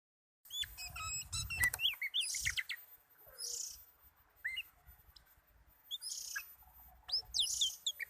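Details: Oriental magpie-robin (kacer) singing contentedly: a varied run of clear whistled notes, short rising and falling slurs, and sharp clicks, broken by brief gaps and punctuated by recurring hissy high bursts.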